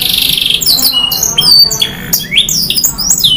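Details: Canary sings 'gacor' style 'isian' phrases: a harsh buzzy opening, then sharp whistled notes, quick chips and rising sweeps in a loud, varied, high-pitched sequence.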